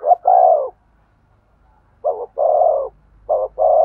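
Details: Spotted dove cooing to stimulate a male: low, hollow, even-pitched coos, each phrase a brief note followed by a longer held coo, with a pause of over a second between phrases.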